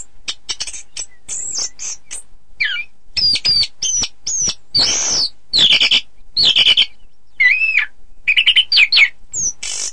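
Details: Contest-training song of an orange-headed thrush: a jumble of clicks and chips followed by rich looping whistles, rising and falling slurs and buzzy notes, repeated in short bursts about once a second.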